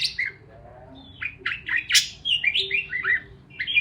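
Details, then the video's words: Parakeets chirping: quick bright chirps and short warbled notes, some rising and some falling, in a busy irregular stream with brief pauses between bursts. "Parakeets Chirping Sounds"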